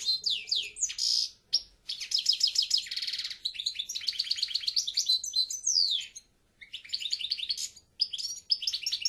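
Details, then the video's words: European goldfinch singing a long, fast, continuous twittering song of buzzy trills, chattering notes and sweeping whistled slurs, with short pauses between phrases. "El Jilguero"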